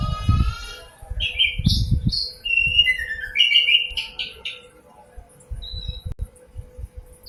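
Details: Common nightingale, locally called sikatan londo, singing vigorously in a clear, melodious voice. Varied whistled and slurred phrases bunch in the middle of the clip, with dull low thumps at the start and near the end.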